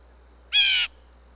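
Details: Blue jay at a bird feeder in Minnesota, USA, calling to let other blue jays know there is food: one harsh, buzzy jeer lasting about a third of a second, loud over quiet background.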